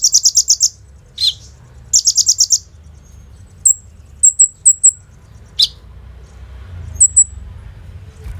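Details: Mimicry-filled song of a Brown-throated sunbird from Indonesia, played as a lure to draw out untrained birds. Opens with two fast, high, buzzy trill bursts, then scattered downswept notes and paired thin chirps, with low background hum.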